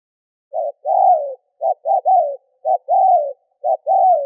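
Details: Decoy spotted dove cooing to provoke wild doves: low, mellow phrases, each a short note and then a longer falling coo, repeated about once a second with uneven gaps, on a quiet background.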